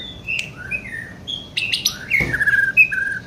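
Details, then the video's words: White-rumped shama, young bird, giving short whistled notes at varied pitches, then a sharp burst and a run of quick descending whistles. "NGERII MASIH BOCIL MENTALNYA JOSS!!"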